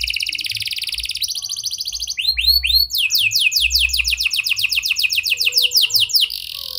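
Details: Singing canary with borrowed prenjak and lovebird phrasing, a lure for non-singing canaries: buzzy high trills, a few looping whistles, then a long run of quick sweeping notes repeated several times a second.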